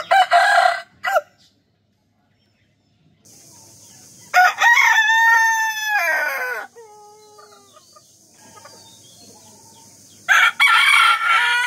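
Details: Several rooster crows in the morning, one long, clear, quavering cock-a-doodle-doo with a wobbling sustained note and falling end, framed by shorter harsh crows and a steady high hiss.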